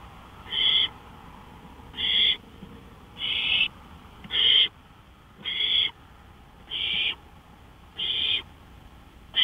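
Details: Owl recorded out on a porch at 1:53 AM on 5 May 2013; harsh, breathy hissing screeches, each under half a second, repeated steadily about every 1.2 seconds, eight bursts in all, over a faint low background hum.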